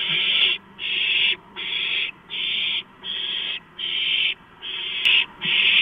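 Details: Owlets at a large-rodent food drop, March 2015, produce loud rasping hisses about one per second in a regular, unbroken sequence.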